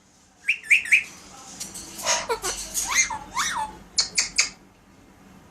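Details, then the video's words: Pet Alexandrine parakeet calling indoors in a small room: short harsh squawks, then a burst of rough scratchy notes and two downward-sweeping screeches, ending with three sharp clipped calls. "Leo talking and sound effects"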